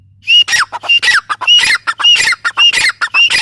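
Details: Grey francolin calling: loud, harsh, ringing notes in quick repeated phrases, each a shrill high note sliding into strident lower notes, close to two phrases a second and without pause, over a faint low hum.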